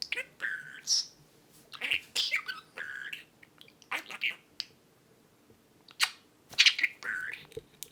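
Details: Male pet budgerigar with a large vocabulary talking while perched on his owner's shoulder indoors: fast, chattering, scratchy syllables mixed with short chirps and clicks, delivered in quick bursts with brief pauses.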